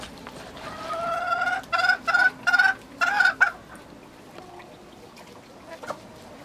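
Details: Chickens in a village setting, a relaxing rural soundscape: a series of loud harmonic squawking clucks, drawn-out then chopped into four bursts in quick succession, followed by quiet background.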